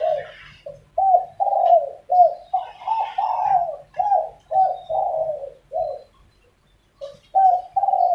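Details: Morning dispute between spotted doves: a rapid chain of short, rolling coos, roughly two per second, with some overlapping. After a brief silence near the end, the cooing resumes, and faint higher chirps sound in the background.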